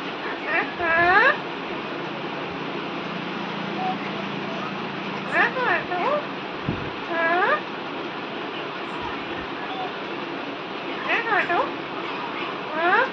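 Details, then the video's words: A talking Alexandrine parakeet repeats the phrase "mitthu beta" in a nasal, speech-like voice, about five times at irregular intervals, over a steady background hiss. "mitthu beta bolne wala tota"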